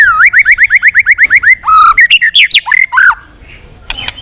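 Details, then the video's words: Caged white-rumped shama singing in a duel-provoking training recording: a fast series of about fourteen identical upslurred whistles, then varied squeaky and whistled notes, fading into quiet. "chòe lửa hót cực căng kích chim yếu lửa hót ,kích chim hót đấu, luyện giọng chòe lửa hót"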